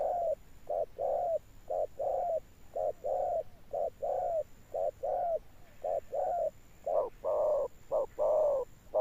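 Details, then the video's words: A spotted dove coos persistently in the 'âm sấm' thunder-toned style, even short-long coo pairs about once a second, growing louder toward the end, over a thin constant high hum. "Gù Âm Sấm_ Nước Tiền Bổi kèm dậm nghe chỉ có phê. Gù Hậu Bền Bỉ."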